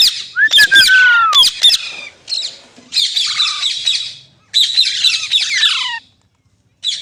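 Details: Green parrot, or mitthu, giving sharp squawks with a long clear whistle sliding downward, followed by extended noisy raspy calls and a short final note.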